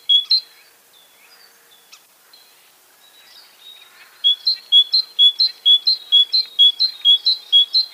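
A tit sings a bright, high two-note phrase, see-saw, repeated about three times a second after a lone opening note and a short quiet pause.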